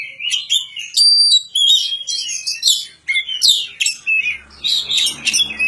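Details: Varied Oriental magpie-robin song of clear high whistles, upslurred notes and scratchy trills strung together almost without pause; a faint low rumble enters near the end.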